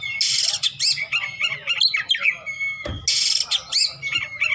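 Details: Oriental magpie-robin in fierce besetan song with rich isian: loud harsh rasping bursts alternating with looping whistles and chatter, one dull knock midway.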